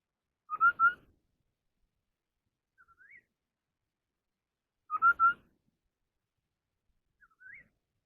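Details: Chinese hwamei in competitive singing. A pattern of three level whistles plus a later rising slurred whistle is repeated twice, about four seconds apart, over otherwise silent background.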